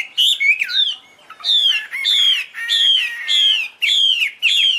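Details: Chinese hwamei delivering loud, clear whistled phrases, each sliding downward, repeated about every half second with short pauses between them.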